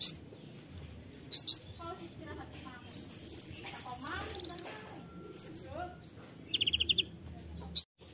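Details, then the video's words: Konin delivering tembakan-style song, a medley of high whistles, sharp chips, a long descending rapid trill and short buzzy rattles, with brief pauses between phrases. "KONIN TEMBAKAN"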